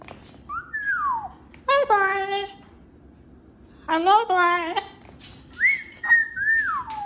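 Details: Pet cockatoo calling loudly indoors: falling whistled glides, then two bursts of rich, harsh, talk-like squawks, and finally long level and rising whistles, all in a small room.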